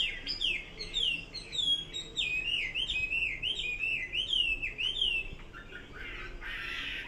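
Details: Clear, mellow hwamei whistles in a repeated looping pattern, each note curling up then down, given in a steady chain before a brief rustling noise at the close.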